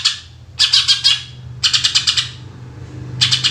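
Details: Greater green leafbird, "tembakan" song used as a lure for other birds: three dense, harsh rattles of rapid chips about a second apart, each roughly half a second long, over a low hum.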